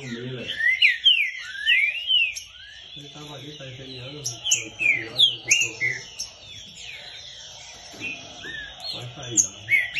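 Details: Green-winged Saltator singing a lot during a training session: quick runs of clear, slurred whistled notes, rising and falling, in bursts several times a second; low voices murmur in the background.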